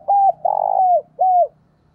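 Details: Decoy spotted dove cooing to provoke rivals, in the 'giọng thổ' voice style. Three mellow, mid-pitched coo notes: a short one, a longer sustained one with a falling end, then a final curved, dropping note.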